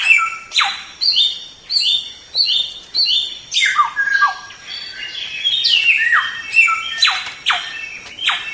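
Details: Training recording of a white-rumped shama song, a lively sequence of clear whistled notes and steep falling sweeps, phrases grouped in quick bursts with brief pauses between them.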